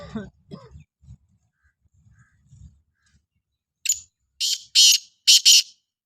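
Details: Black francolin calling: after a few soft low thumps and faint murmurs, a loud harsh series of four buzzy, grating notes bursts out near the end, the last two paired closely together.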